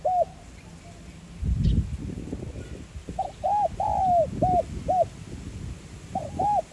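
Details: Spotted dove cooing, 'giọng son' voice, played to encourage decoy birds. A short coo opens, then a burst of low thumping noise, followed by a full phrase of arched notes with a long falling coo and several short closing notes.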